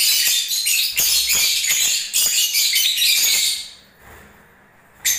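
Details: Lovebirds in breeding season chattering continuously for about four seconds, a bright rapid twittering with squeaky notes, then near silence before a final brief burst.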